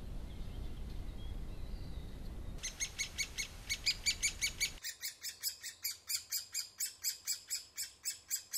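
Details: At a woodpecker nest, rustling noise gives way to a fast series of buzzy, stacked calls, followed by an even quicker, steady train of harsh, high notes repeated several times a second.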